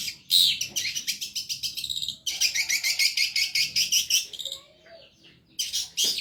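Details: Long-tailed shrike singing with great vigour on a bird-training recording: bursts of rapid, buzzy, high notes repeated in quick pulses, broken by a short gap and a quieter stretch before a final loud burst.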